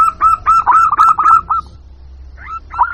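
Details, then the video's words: Lure call of a local zebra dove to draw wild birds: a fast tumbling string of hooked coos lasting about a second and a half, then two more after a gap. "Suara Pikat Burung Jitu Perkutut Jamin Nyaut Kutut Lokal"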